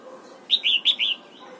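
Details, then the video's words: Red-whiskered bulbul in morning voice training for the double-note wild singing style, giving a short clear phrase of four whistled notes in quick succession, the middle ones drawn out, over a quiet background. "Luyện giọng chào mào hót sáng, ép chào mào hót âm kép già rừng hay tuyệt!"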